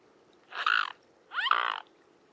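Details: Wild mute swan. Two short, nasal, trumpet-like calls about a second apart, each rich in harmonics with a brief upward slide at the start. The background is quiet.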